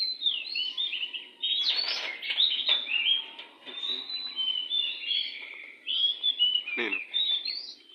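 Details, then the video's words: Wild oriental magpie-robin singing energetically near a house: rich, varied whistled and warbled phrases flowing almost without pause, with a brief human voice and a few sharp clicks in the background. "burung Kacer li4r dpn rumah super gacor"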